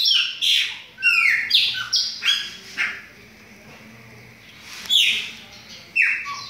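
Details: Chopi blackbirds, captive birds being readied for the breeding season, deliver bright slurred whistles in bursts, several quick notes, then a quiet gap of about two seconds, then more ringing whistles.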